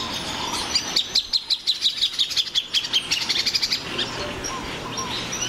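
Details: Loud Plain thornbird song: a fast, rattling series of high chips lasting about three seconds, followed by softer whistles from other birds.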